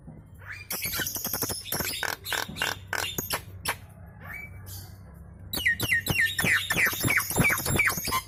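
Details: Nias hill myna chattering vigorously and setting other birds calling; a run of harsh, buzzy clicking pulses, a pause, then a fast series of loud downslurred whistles with rasping edges.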